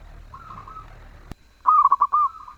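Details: Melodious zebra dove song. A faint, drawn-out coo comes first, then a sharp click, then a loud phrase of rapid stuttering notes that runs into a sustained, even coo.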